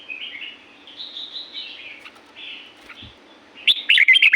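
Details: Red-whiskered bulbul singing in natural La-U forest, Thailand: soft warbled phrases of high gliding notes, then a loud burst of quick chirpy notes near the end, over a faint steady low hum.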